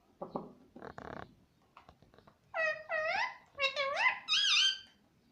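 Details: Pet parrot imitating speech like "Mummy" and "Mitthu mitthu"; soft scratchy noises first, then a quick run of clear, nasal, rising-falling syllables that grow higher and shriller toward the end.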